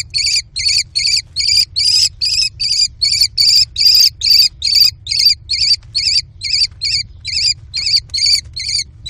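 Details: Four American kestrel chicks in a nest box on June 18, 2019 give harsh raspy screeches, about two per second, during a food frenzy as the mother delivers prey, with a faint low hum.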